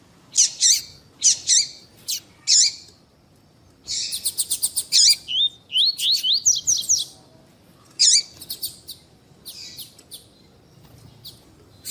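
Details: Double-collared seedeater (Sporophila caerulescens), a female's calls and a male singing, used to stimulate captive males: high, sharp chips in short bursts give way to a rapid, twittering run of buzzy and whistled notes, then scattered high chips.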